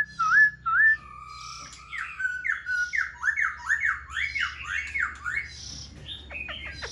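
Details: Caged black-throated laughingthrush fanning its tail and dancing its wings: two loud rising whistles open, then a fast run of slurred, down-and-up notes in a rolling series, ending with sharp falling strokes; faint low hum underneath.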